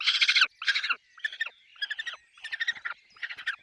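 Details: Peregrine falcon nest with chicks: a loud, grating, pulsed call, then a series of slightly softer rasping bursts of about half a second each, given in quick succession.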